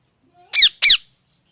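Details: Pet parrot giving two loud, harsh squawks about a quarter second apart, each a buzzy downward-sweeping burst rich in high overtones, in an otherwise quiet room.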